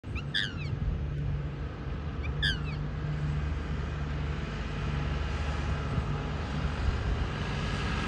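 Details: A wild, free-flying black swan (Cygnus atratus) staying in the US gives two short, high, wavering bugle notes about two seconds apart, over a steady low rumble of traffic.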